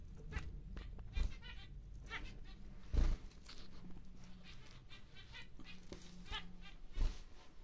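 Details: Captive male zebra finch of the normal grey type, a big-sized bird, repeating short nasal buzzy notes in small clusters, with low thumps and cage noise behind.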